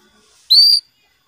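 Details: A single short call from a female canary summoning a male, used as a lure for singing males: one clear whistled note that rises quickly and then holds steady.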